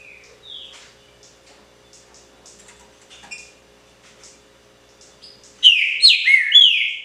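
Green-winged saltator: soft scattered chirps, then a loud burst of rich, slurred whistled notes in quick succession, with a faint steady hum behind.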